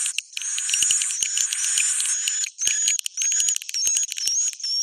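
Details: Swiftlet roosting sound mixing raspy, buzzy high chirps with rapid dry clicks scattered through, the pattern uneven and overlapping.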